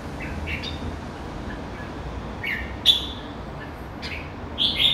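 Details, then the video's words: Red-whiskered bulbul, a caged bird, giving short bright whistled notes in brief phrases spaced a second or so apart, with a louder sharp note near the middle and another at the end, over a low steady background hum. "Merbah jambul"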